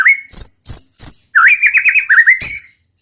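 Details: White-rumped shama (murai batu) delivering roll tembak: three harsh, buzzy high notes spaced about a third of a second apart, then a rapid rolling warble of wavering whistles.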